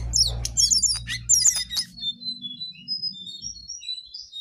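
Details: Jongkangan in lively gacor singing: a quick cluster of sharp high chirps and trills, then thin drawn-out whistles fading softly, with a faint low hum beneath.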